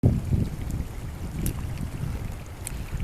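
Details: Gusty wind buffets the microphone over low rumbling water or boat noise, with a few faint clicks and no animal voice.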